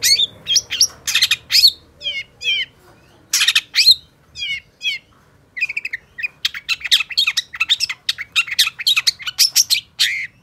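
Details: Long-tailed shrike (cendet, pentet) in lively gacor singing: bursts of harsh, scratchy notes mixed with quick sweeping whistled slurs, broken by short pauses between phrases.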